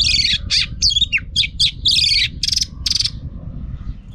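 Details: Female Oriental magpie-robin, kept to rouse males into singing, gives a rapid, varied phrase of harsh chattering and bright twittering notes packed closely together, ending in a few buzzy repeated notes before fading, over low background rumble.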